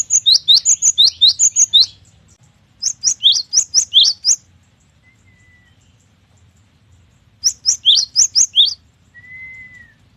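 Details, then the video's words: Cinereous tit (gelatik batu) in full song ('gacor'): three bursts of fast, bright notes alternating high and low, the first one long and dense, followed by a thin, level whistle at the end. "GELATIK BATU GACOR || the melodious sound of stone sparrows"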